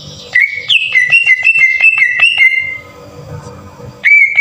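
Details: Green leafbird singing harsh, rough bursts used as a lure to rouse other caged leafbirds. Loud whistled notes near one pitch are each struck with a sharp click, about three a second, then a pause before a final whistle.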